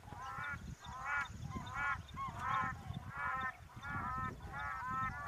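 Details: Black crowned cranes recorded with other wildlife at Rigueik, Zakouma National Park, Chad: steady rounds of harsh, harmonic honks, roughly five clusters in five seconds, over low background rumble.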